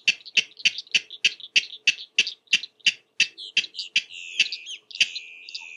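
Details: Wild King Rail in Mallory Swamp, Florida, calling persistently on a spring morning; a fast series of harsh, dry 'kek' notes, about three per second, steady then breaking into looser notes, with a faint low hum behind.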